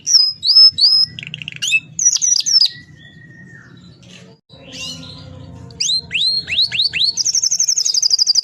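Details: Canary singing a long rolling song meant as a master recording for training other canaries: high whistled notes, sliding upward-hooked phrases and a fast trill near the end, with a short quiet gap mid-clip.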